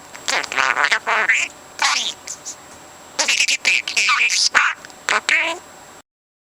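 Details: Four-month-old pet parrot talking nonstop, mimicking words and conversations it has heard; dense runs of harsh speech-like syllables in two long bursts separated by a brief pause, with a few squeaky whistled notes.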